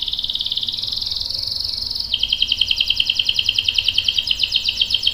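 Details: Canary long roll used for training young and adult canaries: a high, fine trill that shifts down into a lower, strongly pulsed roll repeated at a steady rate.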